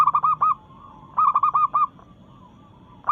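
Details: Zebra dove, a local bird singing to challenge rivals while in breeding mood, gives two short phrases of four or five quick, ringing coos, with a faint trailing coo between them.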